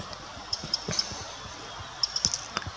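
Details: A Eurasian wren in Mühltal, Würm, Germany, gives hard, high ticking alarm calls: three spaced ticks, a pause, then a quicker cluster of four or five, with soft low thumps beneath.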